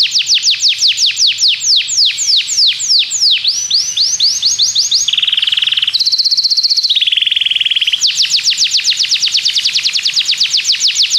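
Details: Belgian canary singing to lead other canaries: long runs of rapid sweeping notes, a lower buzzy trill section, a high rattle, then another long series of quick repeated sweeps.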